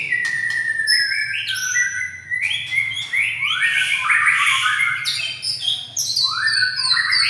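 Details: White-rumped shama singing continuously, a dense overlapping stream of whistled and warbled phrases, bright rising and falling notes with rapid trills and chirps, loud throughout with a low steady hum beneath.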